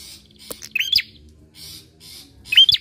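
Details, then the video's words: Bar-winged prinia, song meant to lure other birds into singing: two bright, upward-hooking whistled phrases nearly two seconds apart, separated by soft buzzy rasping and a brief click. "PANCINGAN PRENJAK KLAWU GACOR!"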